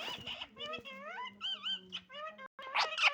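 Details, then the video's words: Pet parrot giving a rapid string of chattering, wavering notes, some rising and some looping up and down, broken by brief pauses. The sequence ends in a harsher burst with a low hum beneath. "parrot voice"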